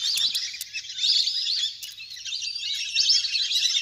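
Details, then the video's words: Large flock of wild ducks playing on water, a natural recording used by hunters to lure birds down; dense, continuous high chattering and squeaky whistled notes from many birds overlapping, with brief sharp clicks. "เสียงนกเป็ดน้ำ! ฝูงใหญ่เสียงคมชัดมาก สำหรับต่อเรียกนกให้ลง"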